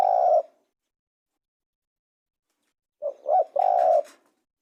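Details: Spotted dove cooing, the tail of one long coo, a pause, then a full phrase of two quick short coos leading into a sustained lower coo.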